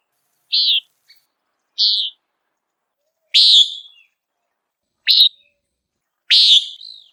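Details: Five sharp, nasal peent notes from a Common Nighthawk hunting insects in flight, spaced roughly every one to one and a half seconds, some ending with a brief downward tail, with no other sounds.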